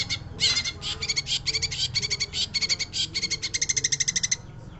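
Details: Long-tailed shrike singing in a lively, sustained run of harsh, rapid chattering notes, delivered in quick bursts that speed up toward the end, with a low background hum.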